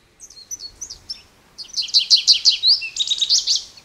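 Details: Scattered high notes from an American goldfinch lead into a fast, loud burst of sweet twittering and slurred warbles.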